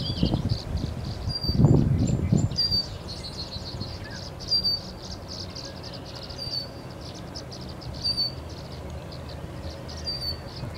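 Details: Tree swallows in spring give short, bright chirps repeated roughly every second or two over a steady background hum, with a brief low rumbling thump near the start.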